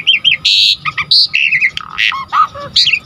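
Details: Asian pied starling in full song to excite other starlings: a dense jumble of bright whistles, harsh buzzy bursts and short slurred notes in quick succession, with barely any pause.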